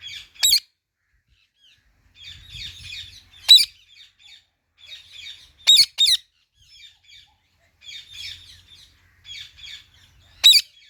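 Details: Indian ringneck parrot mixing quiet scratchy chattering phrases with sudden piercing shrieks, some single and one as a quick double, spread unevenly over about eleven seconds.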